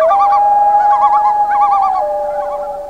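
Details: Common loons on a northern Canadian lake at night in summer: a sustained wailing tone runs steadily throughout, overlaid by short bursts of quick, wobbling tremolo calls, several birds overlapping.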